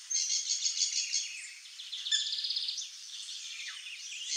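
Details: Wild saffron finch singing free in nature: a fast run of bright, chirpy notes repeated about three times a second, louder in the first second, then a buzzier trilled phrase and softer chips fading toward the end.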